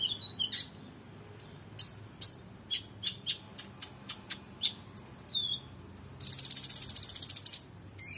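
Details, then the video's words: Oriental magpie-robin in vigorous song as a training track for contest birds: scattered whistles and sharp clicks, falling slurred notes, then a long harsh buzzy rattle lasting over a second. "KONIN GACOR EMOSI FULL BONGKAR ISIAN MEWAH"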